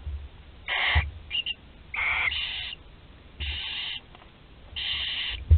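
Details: Barn owl chick, the final one in its nest at Théding, France, 26 July 2020, producing harsh, noisy screech-hisses in uneven bursts, some doubled, with low bumping sounds underneath.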